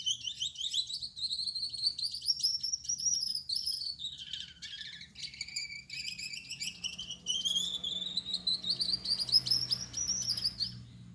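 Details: Male Gouldian finch singing in the evening darkness, with yellow back, red head and white breast: long wavering high buzzy trills rising and sinking, a brief stuttered dip near four seconds, then another rising buzzy stretch.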